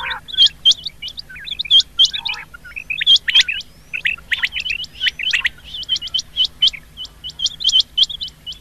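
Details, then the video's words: Rain quail, recorded as a lure for hunters, giving rapid high upswept notes in overlapping clusters, busier and more jumbled in the middle, then evenly spaced single notes toward the end. "Rain quail call for hunting | chingay ki awaz shikar k leay | چنگے کی آواز شکار کے لیے"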